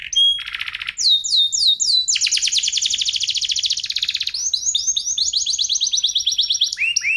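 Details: F1SF canary tutor song for shamas and young canaries: mixed whistles and a harsh rattle, a sustained dense buzzy trill, then bright looping phrases and rising slurs, all clear and high-pitched.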